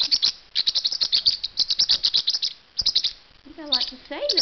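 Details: Dexter, a male blue Pacific parrotlet described as very protective of his cage, chatters in rapid, high, scratchy chirps, about six a second, in bursts with short pauses; a person's voice comes in near the end.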